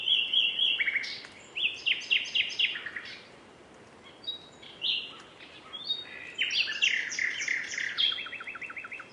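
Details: Common nightingale singing several separate phrases: rapid repeated notes, stuttering clicks and high trills, divided by short pauses, with soft hiss throughout.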